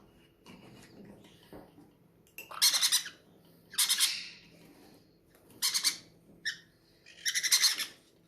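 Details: Captive parrots, hungry while being fed at an aviary, utter loud rasping squawks in four separate bursts after a quiet start, with faint low hum and soft chatter between calls.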